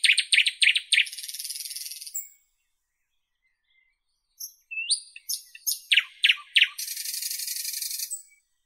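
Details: Northern European nightingale sings two loud phrases, each opening with fast repeated clicking notes or pure whistles and ending in a long, dry, buzzing rattle, with a brief silence between phrases.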